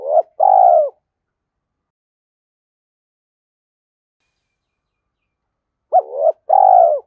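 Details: Lure call of a spotted dove: two short coo phrases, each a quick hooked note and a firmer sustained coo, with nearly six seconds of silence between them.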